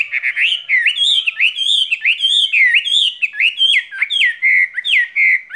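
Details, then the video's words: A caged skylark pours out a fluent, continuous stream of clear sweeping notes, each rising then dropping. The repeated phrases blend together in a bright spring love song. "Chim quý ở lồng son ca bản tình ca mùa xuân"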